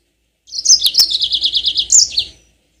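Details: A Yellow-fronted canary (Mozambique canary) sings a bright, high, rolling trill of about a dozen quick repeated notes in two seconds, with sharp chirps at the start and end. The recording is meant as a lure to prompt other birds into long rolling song.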